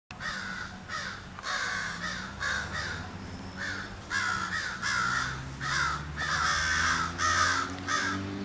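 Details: Crows in mourning, calling with harsh, buzzy caws in bursts of two to four, roughly ninety per minute, over a steady low hum.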